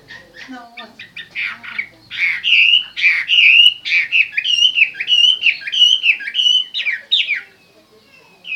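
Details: Chinese hwamei song: scratchy chatter at first, then rich, loud whistled phrases with rising and falling slurs, strung together in a flowing sequence before fading.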